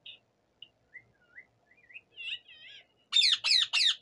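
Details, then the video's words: Local rose-ringed parakeet making varied sounds: faint scattered whistles and short rising notes, building to loud, harsh, rapidly repeated screeching calls in the final second. "টিয়া পাখির নানা রকমের আওয়াজ"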